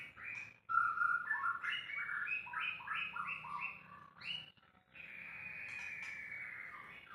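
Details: White-rumped shama, unedited recording: a rapid stepped series of short whistled notes climbing and dropping in a chattering rhythm, a brief pause, then one long steady whistle with a faint buzzy edge.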